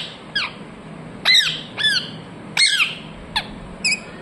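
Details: Parrot squawking: six to seven brief harsh calls with curving, downward harmonics in four seconds, irregularly spaced, over a steady low hum.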